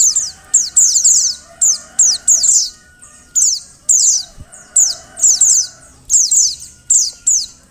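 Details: Female Oriental white-eye giving its call to stir males into song: bright, high-pitched descending chips in short bursts about every half second, over a low steady hum.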